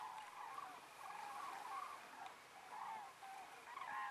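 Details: Common cranes, among over 20,000 flying after sunset to roost on Ummanz, western Rügen, give distant rolling, trumpeting flight calls at dusk, several birds overlapping in bursts about once a second, over a soft hiss.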